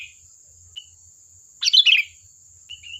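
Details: Sooty-headed bulbul in lively song used to lure other bulbuls: a single dense, jumbled burst of chirpy notes, with short soft whistles before and after and a steady high whine behind.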